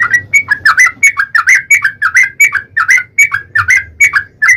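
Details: Lively 'gacor' Yellow-vented bulbul song used as a lure to make another bulbul call: continuous bubbly, warbling phrases of short rising and falling notes, about three per second, over faint low hum.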